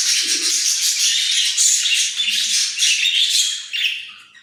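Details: Australian parrot giving harsh, noisy squawks in an almost continuous chattering stream for over four seconds, loud throughout and fading at the end, with a couple of brief low sounds underneath.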